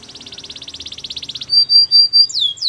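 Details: Canary giving a fast pulsed trill, then a few clear flat whistles and two loud descending slurs.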